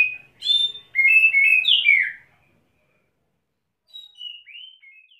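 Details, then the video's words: Captive Oriental magpie-robin in wet condition, perched in one spot with wing-flaring display, singing its learned fill-ins. Strong warbled whistles run for two seconds, then fall silent. A softer, thinner series of slurred whistles follows. "Kacer Satu Titik Tahan Ngobra Muntah Isian"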